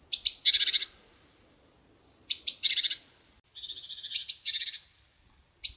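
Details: Chickadee calling rapidly: high sharp notes each followed by a run of buzzy 'dee' notes, one phrase opening with a long low buzzy trill, repeated about every two seconds.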